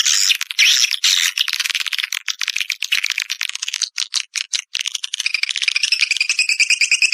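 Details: Swiftlet-house lure call of the edible-nest swiftlet: a continuous fast run of dry, rattling high clicks, roughly two per second at first, then thickening into a buzzy, twittering chatter toward the end.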